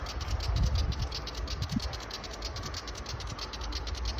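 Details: A little Willie wagtail in Perth, Australia, makes a loud, fast, dry ratcheting chatter, many sharp ticks each second, over a steady low rumble of background noise.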